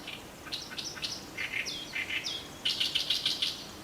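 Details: Oriental Reed Warbler singing loudly in reed beds at Kitamoto Nature Observation Park in early summer, when the reeds grow tall, its song rendered 'gyogyoshi, gyogyoshi'. Harsh, grating chattering notes come in quick bursts and end in a rapid, dense rasping run.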